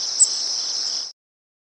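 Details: A Cape May Warbler gives a single very high, thin, brief flight-call note over a steady hiss that stops after about a second.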